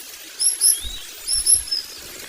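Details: Long-tailed shrike chick being fed by its mother while growing up, giving two short bursts of thin, high-pitched squeaky chirps about a second apart, with soft low thumps between them.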